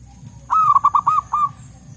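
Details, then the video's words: Wild local zebra doves in forest, answering one another: one phrase of about six ringing, bouncy coo notes, evenly spaced and slightly falling at each end, lasting one second against a soft low rumble. "Suara Burung Perkutut Lokal Gacor Ampuh Untuk Pikat Dan Pancingan"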